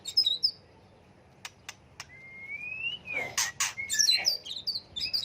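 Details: White-rumped shama singing to provoke other birds into song duels, changing voice often; high notes, then near quiet with a few clicks, a long smooth rising whistle, then a dense burst of high varied notes.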